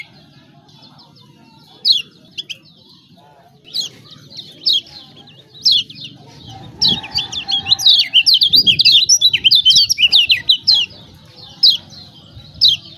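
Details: Lemon-bellied white-eye of Lombok singing a lure for silent birds: scattered sharp falling chirps, then a dense burst of rapid high twittering with a brief scrape of noise mid-way, ending in single chirps again.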